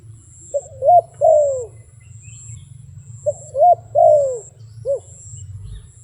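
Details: Phrases of a wild dove: a clipped note, a brief coo, then a long downslurred coo, given twice with a trailing short note, low hum in the background.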